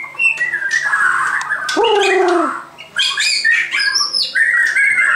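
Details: Loud white-crowned shama song of quick chattering notes and whistles, with a short, lower, steady tone in the middle and high, clear whistled phrases near the end.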